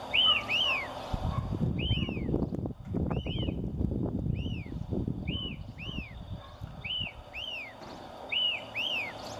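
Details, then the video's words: A White-crested Elaenia, a spring-summer migrant breeding in Chile, repeats its monosyllabic "fio" song: clear, arched, down-slurred whistles, often in quick pairs, roughly every second, over a steady low rumble of wind or distant traffic. "FIO FIO"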